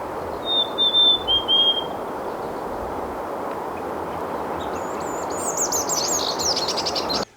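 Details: Mountain chickadee on Mount San Jacinto above Idyllwild, Pacific Crest Trail, in woods around a spring, sings its local-dialect song: three clear, high whistles, each dipping slightly lower. Later another bird's rapid, squeaky chatter follows over a steady rushing background.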